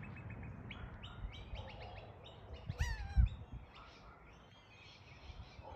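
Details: A young magpie, sounding as if cringing for an unknown reason, gives a run of thin, whining squeals and descending whistled notes, with a low background rumble and a couple of thumps.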